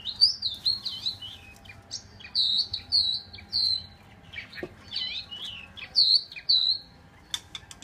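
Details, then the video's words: Chinese hwamei delivering loud, rich whistled phrases in rhythmic bursts, with notes swooping up and down and short pauses between phrases. "chim họa mi"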